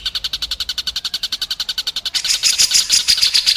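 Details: Masteran for young and contest White-rumped shamas: a regular series of evenly spaced chipping notes, about five per second, then a louder, richer rapid trill with sharp accented notes.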